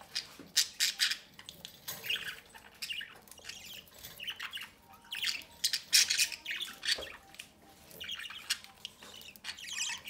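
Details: Pair of pet budgerigars feeding their chicks at the nest opening: grating, high squawks in irregular clusters, swelling around the middle, over a low indoor hum.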